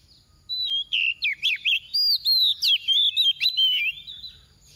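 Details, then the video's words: Soft decoy oriental magpie-robin in full 'tìu tíu tiu' song, used to provoke singing in other magpie-robins. A loud, fast string of roughly twelve whistled notes with sweeping, twisting slurs, delivered almost without pause. "Choè than mồi mềm hót tìu tíu tiu phần 3 | Kích Choè Than Hót"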